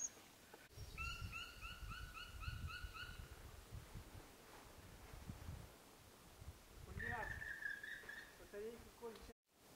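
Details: Crested tit at the Racheyskie Alps rock massif (labyrinth), 12 March 2017, gives a quick, purring trill of about ten buzzy notes, then a drawn-out nasal note later, over a low rumble of wind.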